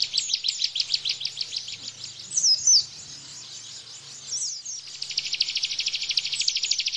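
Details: Bar-winged prinia giving its 'tembakan' rapid-fire song as tutor material for cage birds: bursts of quick, high chipping notes, a pause broken by sharp downslurred whistles, then a dense, fast rattling trill.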